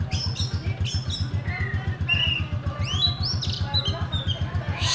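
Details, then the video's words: Kept oriental magpie-robin from Comal, Pemalang, Central Java, Indonesia, giving sharp high whistles, rising slurred notes and short chatters in loose bursts over a steady low rhythmic thumping throughout. "REWO REWO Kacer"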